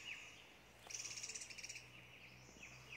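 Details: A Hill blue flycatcher at Doi Inthanon, Chiang Mai, Thailand, gives a quick, very high trill of rapid ticking notes, with thin down-slurred whistles before and after over a faint background hiss.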